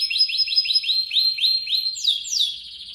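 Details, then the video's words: Canary song used to tutor other birds: a rapid series of short repeated chirps in a steady run, ending with two higher down-slurred whistled notes. "Kumpulan Vidio Kenari Ngerol parah Pas Buat Masteran kesayangan Anda."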